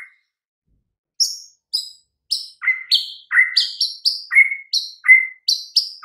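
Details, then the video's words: White-rumped shama singing on a training master for mute, listless birds: clear whistled notes that alternate high and lower pitches, delivered in a steady run after a brief silence. "Murai Batu BISU & LOYO langsung NYAUT Seketika dengan MASTERAN Ini"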